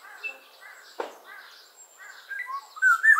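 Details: Black-naped Oriole giving short fluty whistles that rise toward the end, preceded by softer chirping from other birds and a single dull knock near the first second.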